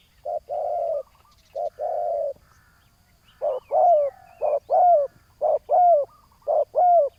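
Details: Ground decoy session luring a big-voiced rival spotted dove: paired short-then-long low coos at first, then a livelier series of clipped coos with bright rising-falling overtones, roughly one each second.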